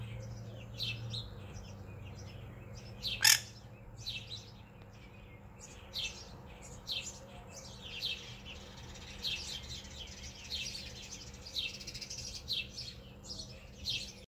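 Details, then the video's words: About 20 house sparrows in a front-yard tree chirp and cheep continuously with many overlapping bright notes; a pair of mourning doves is also present, with one loud sharp click and a low steady hum beneath. "Visiting sparrow tree"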